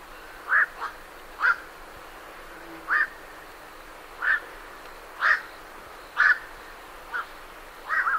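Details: Night herons departing their roost, heard close, give loud abrupt croaking 'quok' calls about once a second, some followed by a softer second note, over faint background chatter.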